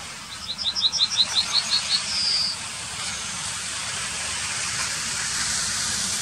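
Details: Yellowhammer singing in the town of Wittlich in 2019: a quick series of about eight high, repeated notes, then one drawn-out final note. A steady hum of traffic runs underneath.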